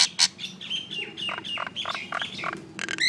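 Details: Common myna calling: two harsh rasping bursts, then a rapid jumble of slurred whistled notes mixed with short chattering syllables, closing with a sharp, rising whistled note.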